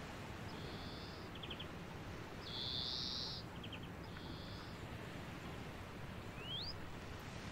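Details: European greenfinch on hawthorn in coastal dunes gives long nasal buzzing wheezes alternating with brief dry trills, with a steady roar of surf and wind behind.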